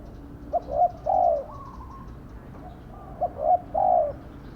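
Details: Decoy spotted dove, caged as a lure for wild doves; two phrases of soft hollow cooing, short lead notes rising into a longer, falling coo, separated by a quiet gap.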